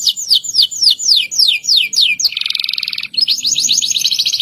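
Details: Local canary in a long rolling song to prompt other canaries to sing: quick series of downsweeping whistles, about three per half second, then a dense buzzy rattle and a renewed rapid trill.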